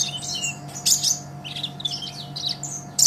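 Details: Dense, scratchy high twittering from a vigorously singing olive-backed sunbird, recorded as master audio for training cage songbirds. Notes blur together with sudden loud chirps near the start and end, over a persistent low hum.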